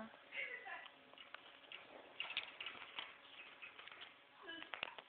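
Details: Pet budgerigar chattering near water and a mirror; continuous warbling chatter of scratchy notes, clicks and brief high squeaks, rising and falling in bursts.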